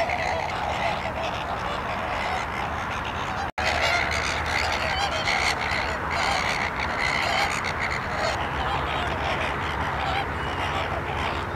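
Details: Flamingos at the salt lake in Larnaca, Cyprus: a steady wash of nasal, goose-like honking and chatter from many birds at once, with a brief dropout near the start.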